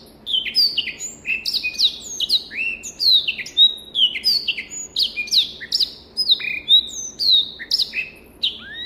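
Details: African black-throated canary giving a long, clear training song: dense chains of high sweet whistles, many sharply descending, in a fast continuous warble with no other sounds.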